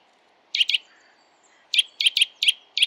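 Eurasian nuthatch giving loud, clear, high whistled notes: a quick pair, a pause, then a rapid run of five notes about a quarter-second apart. The background is quiet.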